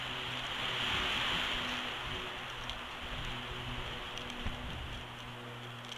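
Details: Steady rain and gusting wind fill the recording, with a constant hiss and low rumble and no calls from any animal.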